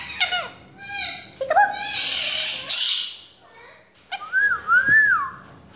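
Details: Pet Quaker parakeet calling for its owner ("mommy") in a small room. Clear tonal whistles bend up and down in speech-like phrases around a raspy, noisy burst, ending in two smooth rising-falling whistled notes.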